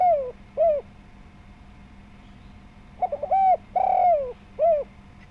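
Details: Spotted dove, a lively local bird used as a lure to draw other doves into calling; a full coo phrase, a short note then a long falling coo and a final rounded coo, with a steady low hum behind.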